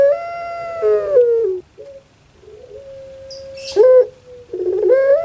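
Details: Caged puter pelung dove, a Javanese pet bird whose voice is likened to a crying baby: drawn-out wailing coo falling at the end, a quiet pause, a long flat hum-like note, then a quick gurgling roll rising again.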